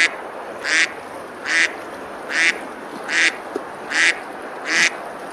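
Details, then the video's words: Ducks on a river at Besalú, Girona, Spain, eating and splashing on a summer day, quack six times in a regular rhythm, rasping broad calls with a small click between them. "Ducks quacking, eating and splashing on the river"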